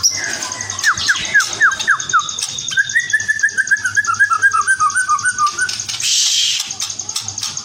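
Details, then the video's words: White-rumped shama of the spotted murai batu trotol type: a short series of falling whistles, then a long rapid chain of bubbly, slightly descending notes, ending in a brief burst of hiss, with a constant high thin tone throughout. "Burung Murai Batu Trotol Keren Habis"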